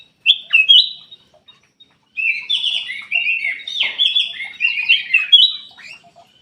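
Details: Kutilang emas bulbul song serving as a lure for quiet caged songbirds. Two bright whistled notes come first, then after a pause a continuous babbling warble of varied slurred phrases runs for about four seconds.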